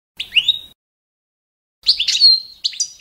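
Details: Balkan goldfinch song phrase set as a competition standard for training birds: a short liquid twitter, a pause, then a bright burst with a drawn-out whistled note and quick tinkling ends, nothing else audible.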